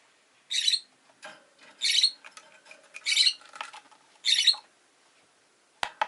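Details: Shrill, harsh chirps from pet rosy-faced lovebirds, two birds newly joined to the home, come in four evenly spaced bursts about every second, then a sharp click at the end.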